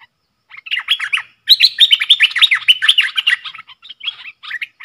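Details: ['Bulbul in a cage trading song with wild birds: a long, loud, nearly continuous run of quick, slurred whistles, some rising and some falling, sounding like more than one bird singing over each other.']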